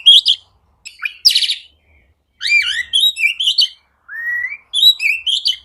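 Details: Oriental magpie-robin, recorded as a lure for birds that will not sing: separated phrases of sharp chirps, one harsh buzzy burst, wavering whistles and a smooth rising whistle.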